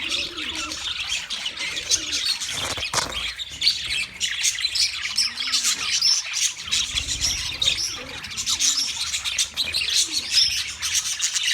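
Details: A wild budgerigar flock keeps up a steady wall of high chirps, squawks and warbling chatter, with a few faint low coos in the background.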